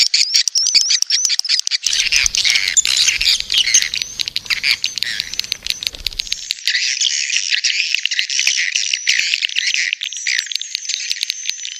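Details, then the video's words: Edible-nest swiftlets giving the 'birahi' mating call used to attract birds to a nest house: thin, wavering high twitters layered over fast clicking, with a faint low hum early on. "Suara Panggil Walet B1RAHI"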